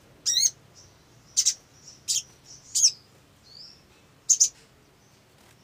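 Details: Olive-backed sunbird played as a lure to get others singing: loud high chips in pairs and singles, a sharp buzzy downstroke note, and a soft thin slurred whistle, with quiet gaps and faint background hum.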